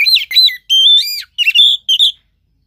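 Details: Oriental magpie-robin song used as a lure to stir a lazy caged bird that has stopped singing and lacks breeding condition: loud, clear whistled phrases, some rising, some warbled, in five bursts separated by short silences.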